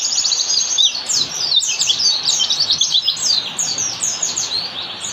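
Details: Oriental white-eye singing in forest style, used as a training master for caged birds: continuous rapid, high, tinkling twitters and descending chirps packed tightly together, loud and unbroken over faint background noise.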